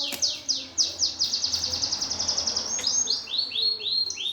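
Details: Greater green leafbird (cucak ijo) with a sparrow-like fighting song, played to stir competition birds into singing. Quick rows of high, sharply falling whistled sweeps over a faint low hum.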